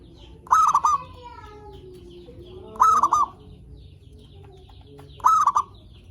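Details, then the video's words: Zebra dove song for luring and stimulating other zebra doves: three matching phrases of three fast, stuttering coos, repeated roughly every two and a half seconds, with faint drawn-out tones between them and a low background hum. "Suara Perkutut Pikat Gacor AMPUH pancingan SEMUA BURUNG PERKUTUT BAHAN AGAR SEMAKIN BUNYI GACOR"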